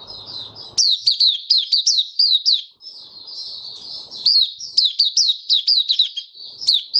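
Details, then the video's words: Caged white-eye, a bird named Kitaro, in open song, recorded 23 March 2022 during warm humid weather: rapid high chirpy notes, each sharply descending, strung in fast bursts with a brief warbled pause near the middle. "Mata Puteh Kitaro Video 1 buka sing"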